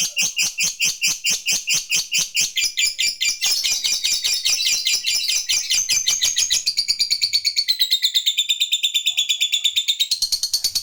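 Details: Lovebird fighter in full 'ngekek panjang', the long chatter used to call a rival: a shrill, rapid, unbroken stream of high chirps, speeding slightly and shifting in pitch over about eleven seconds.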